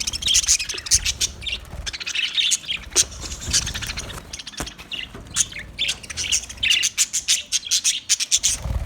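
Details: Budgerigar flock in an aviary, Australia, chattering continuously: rapid high chirps, squeaks and scratchy warbles layered together, with occasional sharp clicks and low background noise.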